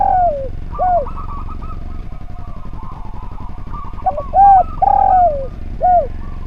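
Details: Repeated spotted dove phrases from a training recording for other birds: curved falling coos at the start, a quieter stretch with warbled tones, then a burst of short notes, a long sliding coo and a closing arched coo.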